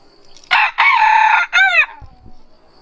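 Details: Single rooster crow at morning, opening with a short burst, then a long level middle note and a falling, wavering close, all within about a second and a half. Soft low sounds follow.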